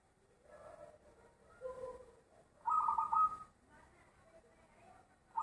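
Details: Loud-voiced zebra dove singing: two soft, low notes lead into a bright, fast-pulsed cooing phrase with a second strong pulse, then the start of another phrase at the end.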